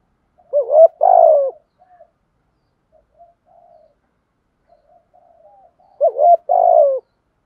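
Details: Spotted dove calling to train decoy birds, 'thổ pha đồng' voice: two short bursts of rough cooing notes at the start and end, with faint soft murmuring coos in the quiet middle.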